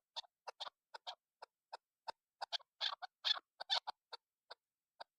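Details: Female chukar partridge calling, used to lure birds: sharp, broad clucking notes, singly and in short clusters, irregular and about two per second, in otherwise silent surroundings.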